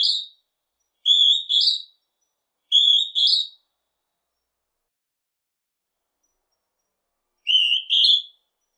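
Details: Northern hawk-cuckoo: three quick rising two-note whistles, then a four-second pause before a fourth similar high phrase. The calls are clear against a silent background.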